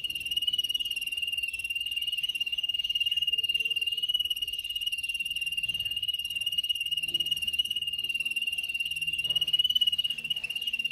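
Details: Canary song used for training canaries to sing: one long, unbroken, very rapid trill held at a steady high pitch throughout, loud and mechanical, like a continuous rolling buzz.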